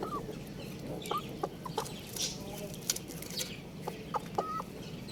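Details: Young rooster giving short, rising then falling peeping chirps, scattered singly and in pairs over a few seconds, with rustling, faint clucks and background farmyard noise.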